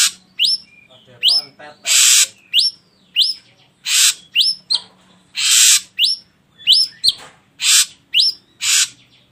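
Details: Lure song of an ashy drongo meant to set other birds singing: a fast, busy run of harsh hissing blasts mixed with many short rising whistles and chirps.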